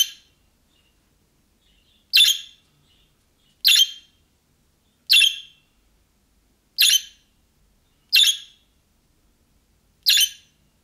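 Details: After a quiet start, a budgerigar repeats six buzzy, scratchy chirps every one to one and a half seconds, the calling type of young birds that other budgerigars answer.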